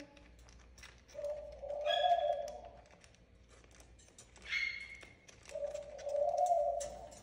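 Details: A pet ringneck (Barbary) dove cooing in the background of a bird-filled home gives two long, low, soft rolling coos a few seconds apart, with a brief high whistle and chirps from another pet bird between them.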